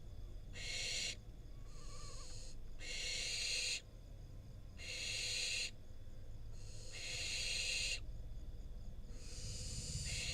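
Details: Wild barn owl fledgling in Israel, filmed by a nest camera as its parents deliver a rodent that it then eats. It gives harsh, breathy screeching hisses, each lasting under a second and repeated five times with short silent gaps.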